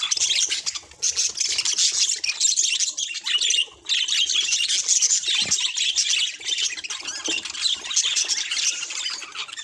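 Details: Lively budgerigar chatter, a continuous stream of high squeaky chirps and raspy warbles, with one brief silence near the middle.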